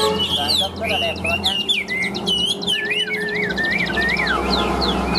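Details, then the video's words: Tame, newly arrived caged Chinese hwamei described as singing nonstop with a very loud, ringing voice; clear whistled slurs, rising and falling, over a steady high trill from other birds and faint talking. "Chim Thuần Mỏ Ra Như Máy, Giọng Cực Vang Cực Chất"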